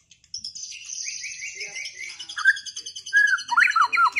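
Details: White-rumped shama, caged and just through moult, singing in a duel: fast buzzy high trill over repeated slurred notes, building to loud rich warbled phrases.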